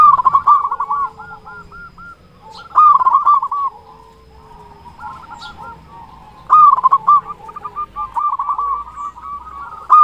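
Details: Zebra dove of local stock singing eagerly, a lure to spur other doves: a stuttering run of rolling coos, a second loud burst near three seconds, a quiet stretch, then a long lively cooing phrase.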